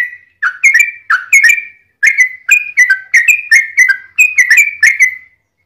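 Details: Yellow-vented bulbul, long fighting song used to provoke rival bulbuls to answer: bright whistled notes in paired bursts, short gaps between phrases, a lively bubbling rhythm throughout.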